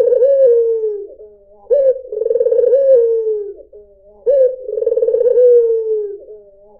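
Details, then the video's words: Lure song of a white dove: steady, mellow coos, each a short clipped opening note and an extended rolling trill sinking toward the end, repeated at a regular pace with short silences. "PANCINGAN SUARA BURUNG PUTER PUTIH || SUARA BURUNG PUTER MERDU"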